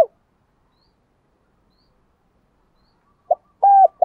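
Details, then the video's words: Spotted dove call for rousing decoy birds and luring doves. The clip is mostly silent. Near the end comes one brief, low cooing phrase: a short note and then a drawn-out hollow coo. "Tiếng chim cu gáy kích bổi nhanh nổi và tập mồi hiệu quả"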